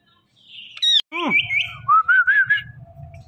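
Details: Talking Indian ringneck parakeet: a high shrill note, then a run of short, clipped, speech-like syllables and a series of four quick rising-falling nasal notes, with faint low room hum.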